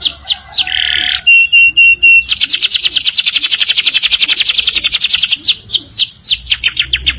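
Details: Canary song in the morning, beginning with sweeping whistles and a short buzz, then level whistled notes, then a long rapid trill of clear notes, ending with falling slurred whistles.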